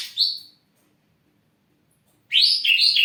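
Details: Ashy drongo, a kept songbird, singing actively: one bright rising whistled note, a pause of nearly two seconds, then a louder warbled phrase of slurred rising and falling whistles.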